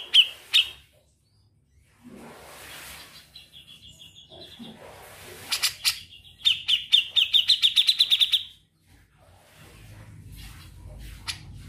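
Grey-cheeked bulbul giving sharp high chirps, then a fast, even trill of a dozen bright notes over two seconds, over a faint low hum.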